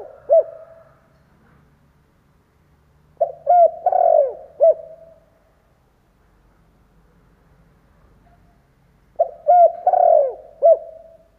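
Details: Spotted dove decoy bird, a caged lure for wild doves: two repeated cooing phrases about six seconds apart, each a few short hollow notes then a longer drawn-out coo, low and mellow, with quiet between.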